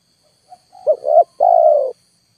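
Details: Single phrase of a spotted dove lure, pushed to full volume while wild birds refuse to come down: a soft lead-in note, two short rising coos and one long falling coo, with a faint continuous whine.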